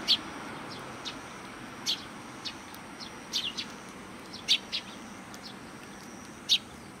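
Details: Sparrows at a Tenmangu shrine in Japan welcoming visitors: brief, high, sharp chirps spaced irregularly a second or so apart against quiet outdoor background noise.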